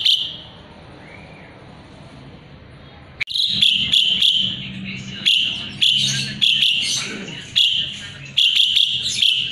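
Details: An Asian pied starling in strong song, recorded as a tutor for magpie-robins, starts after a quiet stretch and then delivers a long run of harsh, rasping bursts at irregular intervals, some longer and some clipped.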